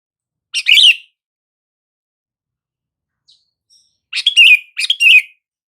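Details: Sooty-headed bulbul calling to get mute bulbuls to respond: one bright chirped phrase, a long quiet pause with two faint ticks, then two quick warbled phrases close together, each with a falling tail.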